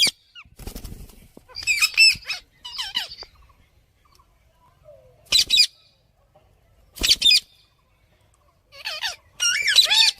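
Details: Parrot chirping and squawking in irregular scratchy bursts, high and harsh with twisting notes, separated by pauses; soft fluttering noise early on.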